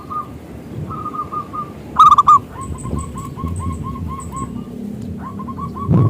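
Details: Local zebra dove singing to lure others to sing: faint series of short upslurred whistled coos with one louder bubbling roll, accompanied by a thin high repeated note and low background hum.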